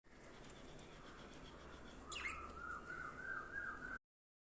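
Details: Budgerigar (Melopsittacus undulatus) giving a sharp downward-sweeping note, then a wavering, chattering warble over steady background hiss.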